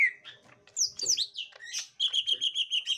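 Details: Gotri green leafbird meeting a young wild green leafbird: scattered high chirps and sharp swooping notes, ending in a fast, even trill of rapid repeated pulses.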